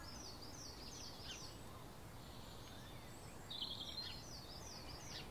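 Swallow-tailed hummingbird giving thin, very high chipping notes in quick bursts, two runs of about a second each, over a steady low background rumble.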